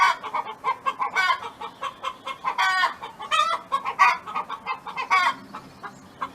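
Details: A domestic hen sings in farm surroundings, dense chattering clucks broken by several loud, hoarse, drawn calls one after another.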